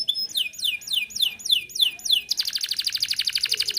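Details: Canary song, a lively singer for prompting other birds to sing: a series of downward-sweeping whistled notes about five per second, then a fast buzzy trill of rapid repeated notes.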